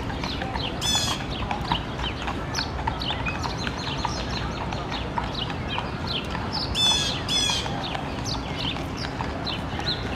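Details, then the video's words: A blue jay in Central Park, New York, berates a raccoon with two bursts of harsh, raspy scolding calls several seconds apart, over busy chirping from smaller birds and a steady low city hum. "Blue Jay berating Racoon"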